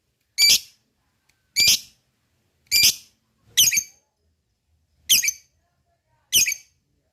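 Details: Lovebird calls used to provoke other lovebirds into singing: six loud, harsh, high squawks spaced roughly one to one and a half seconds apart, with nothing else heard between them.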